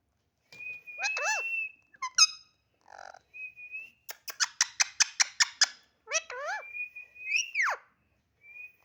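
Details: Talkative pet parrot, described as one that talks a lot: steady whistled tones, harmonic squawky notes that bend up and down, then a quick series of about ten sharp clicking notes, ending in a falling squawk and a soft whistle.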